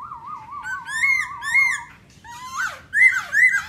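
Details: ['Black laughingthrush singing and dancing, opening with a long warbling quavering whistle, then loud upslurred notes with a sharp downward swoop, followed by two bright rising whistles.']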